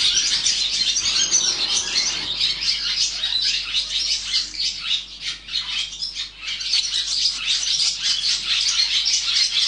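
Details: Barn swallow chicks being raised in the nest, producing a dense, continuous chorus of high, hissing, buzzy begging notes that swell and fade without pause.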